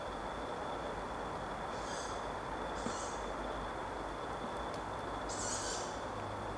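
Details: Two young tawny owls in Reservoir Wood, Wanstead Park, just after 10pm: three hoarse, hissing screeches, each about half a second, at roughly one-second then two-second gaps, over a steady rumbling background and a thin constant whine.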